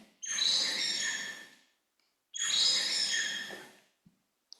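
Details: Bengalese finch song with the fifth syllable rendered slightly lower in pitch; two sustained, buzzy harmonic notes of about one and a half seconds each, with a brief pause between and a faint click near the end.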